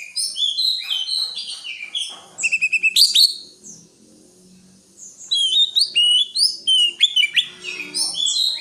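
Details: Greater green leafbird singing lively phrases of chirps and slurred whistles, including a run of rapid repeated notes, a quiet gap, then more varied warbling over faint low background noise.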